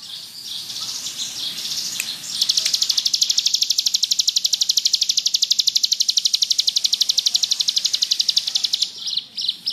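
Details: A ciblek gunung (bar-winged prinia) in ngebrem song, suited to masteran: soft scratchy twittering at first, then a long, loud, even trill of high metallic pulses running steadily for over six seconds.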